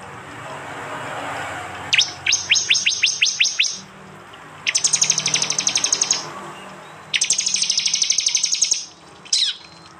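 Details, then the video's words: East Java prinia in a phone recording meant as a training model: a row of sharp rising chip notes, then two long bursts of rapid, high, rattling ticks, ending with a single short upward note. "Tembakan prenjak jali keras"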